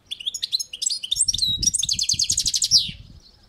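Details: European goldfinch on a balcony delivering a continuous run of tinkling, chattering notes into a fast pulsed trill and a final slurred descending note, with soft low thumping sounds underneath.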